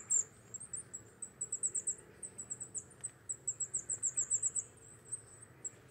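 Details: Thin, high-pitched chirps from a Wallcreeper on a Czech quarry or cliff in winter, starting sparse and quickening into an evenly spaced rapid series of bright notes toward the end.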